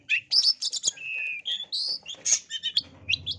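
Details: A long-tailed shrike in fighting mood pours out a fast, varied song of sharp chirps, high whistles and scratchy notes, switching phrases every fraction of a second, with a faint low rumble at the end. It serves as a lure song to provoke rivals.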